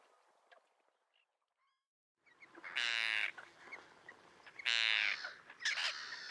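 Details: Common terns at a small breeding colony with chicks on a concrete block near a breakwater, Liepāja, Latvia, June 2024; two seconds of near silence, then two loud grating, drawn-out calls with fainter chatter between.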